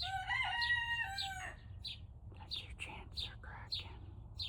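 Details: Young Turken chicken at about 5 am, just learning to crow: a strained, wavering harmonic crow lasting about a second and a half. It is followed by rapid high chirps repeated several times a second.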